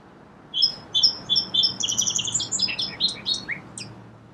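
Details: Song sparrow song that starts with four evenly spaced clear paired notes, speeds into a fast high trill, and finishes with a few descending slurred chirps.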